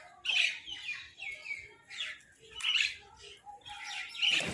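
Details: Crow giving a food call: three loud, harsh, rasping bursts near the start, middle and end, with softer chattering and chirping from other birds in between.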